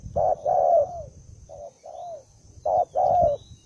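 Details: A combative, recently caught spotted dove utters hoarse coos: a short note, then a longer falling one, repeated in clusters with quieter gaps and a thin background hum.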